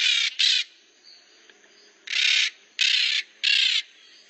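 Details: Noisy Pionus parrots give loud, grating squawks lasting under half a second, five in about four seconds, spaced irregularly, with quiet softer notes in the gaps.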